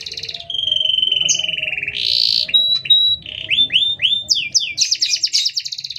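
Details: Canary song used to train or provoke other canaries, long with short gaps: a sustained whistled note, a buzzy rolling trill, then quick downward-sweeping chirps repeated in fast series and ending in a dense high trill.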